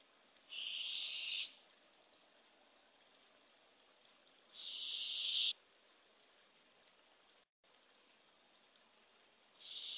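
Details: Raspy hiss at a barred owl nest box with two owlets, early morning of April 27, 2024, as the female delivers a baby opossum: harsh, breathy rasps about a second long, roughly four seconds apart, over a faint steady hiss.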